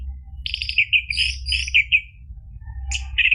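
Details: Orange-headed thrush, played to get a caged bird singing: a quick stuttered note series, then overlapping whistled and buzzy phrases, a pause, and a final bright whistled burst.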